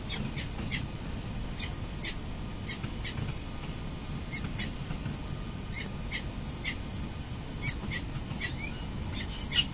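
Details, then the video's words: Peregrine falcon pair, male and female, arriving home at their nest on a building in early morning, 22 November 2024; a series of harsh, clipped notes repeated irregularly, ending with a thin high whistle, over a steady low city rumble. "Falcon mom and dad early morning arrive home"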